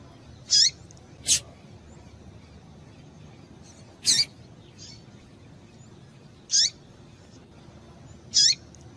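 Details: Breeding-condition female double-collared seedeater calling to stir up males: brief high chips spaced irregularly a few seconds apart, mixed with a couple of sharp clicks, against a quiet hiss.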